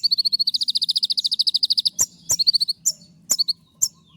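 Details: Konin, a kept songbird singing while moulting, opening with a long fast trill of about twenty-five evenly spaced high piping notes, then sharp chips and brief note runs.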